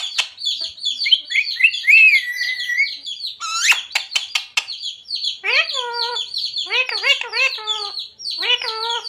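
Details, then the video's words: Parrot trained to say "Radhe Radhe" and "Sita Ram": shrill chirping and a sliding whistle give way to a series of short, voice-like mimicked syllables, over a constant high-pitched whine. "Parrot Talking Radhe Radhe || राधे-राधे बोलने वाला मिट्ठू || Parrot Talking Sita ram"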